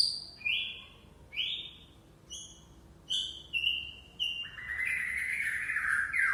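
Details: Song of a white-rumped shama, or murai Aceh: a series of separate bright whistled notes spaced about a second apart, building into a sustained, buzzy, warbled phrase at the end.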